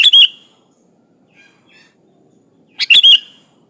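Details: Energetic sooty-headed bulbul song for training kept birds: two bright, bubbly whistled phrases with a dropping slur, separated by a quiet gap holding faint softer notes, and a thin steady high tone behind.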